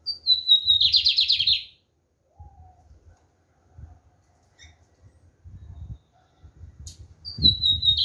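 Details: Lined seedeater (black bigodinho) singing strongly: a clear high whistle slides downward into a fast buzzy rattling trill. The phrase opens the clip and returns near the end, with low thumps and soft knocks between.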